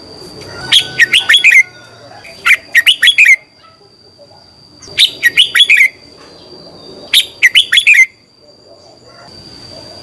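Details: Lure-style morning song of a red-whiskered bulbul for bird training: four repeated phrases, each four or five rapid liquid whistles, about every two to three seconds. A thin steady high-pitched tone sounds in the background.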